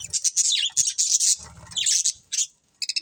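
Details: Budgerigars, a breeding pair, chattering in fast high scratchy bursts with a short gap, then a clipped trio of bright repeated chirps at the end.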